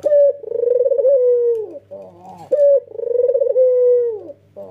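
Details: Male white red-eyed Barbary dove, cooing energetically in nodding style: a short bright note, then a rapid rolling pulsed coo leading into a long, steady low tone that droops at the end, repeated twice. A faint low hum runs beneath.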